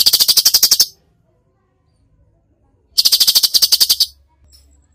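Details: Cucak cungkok singing in the rapid-fire tembakan style: two bursts of fast, harsh, rattling notes, about a dozen per second, each burst under a second long with silence between.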